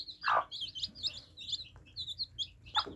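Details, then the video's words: Chicks drinking water peep in short, high, downslurred notes, several at once, with a loud splashy knock at the start and another at the end. "Adorable Baby Chicks Quenching Thirst Chicks Sound Effects For Kids"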